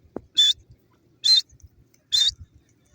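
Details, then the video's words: Grey francolin, the teetar of Pakistan, giving three loud buzzy high-pitched notes, each about a fifth of a second long, spaced nearly a second apart. "grey francolin bird lovely sound,pakistani teetar ki awaaz"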